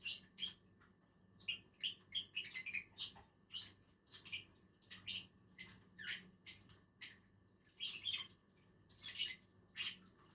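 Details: Two lovebirds eating together on a tree chatter with rapid, piercing high chirps, many in close succession, forming a busy twittering run; a faint low hum underneath.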